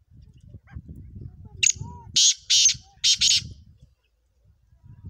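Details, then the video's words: Black francolin call: one loud, harsh, grating phrase of four rasping bursts over about two seconds, each strident and buzzy. Low rumbling background noise comes before and after, with a faint whistled note. "kala teeter ki awaz"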